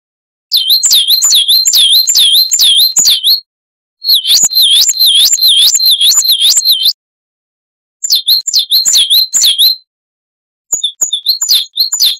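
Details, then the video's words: A Coal tit, Periparus ater, in a training recording of its 'wucit' song: four bouts of quick, high, swooping double whistles, the last one broken and fragmentary, separated by pauses of about half a second. "Masteran Burung Gelatik Wucit Panjang Ngalas - Coal Tit"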